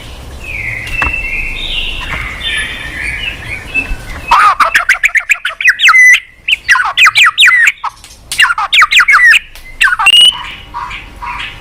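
White-rumped shama singing: soft sliding whistles, then a loud burst of rapid chattering notes and ringing whistled phrases, rich and varied.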